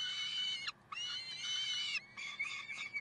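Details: Peregrine falcon in Karlsruhe at 6:56 am on 30 May 2010, giving harsh, rasping screams: two drawn-out wails of nearly a second each, then three shorter grating bursts in quick succession.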